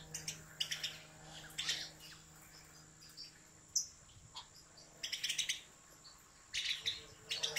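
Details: Captive European goldfinch from a professional breeder's line giving short bursts of bright, high twittering song, separated by pauses of about a second or more, with a faint steady hum underneath.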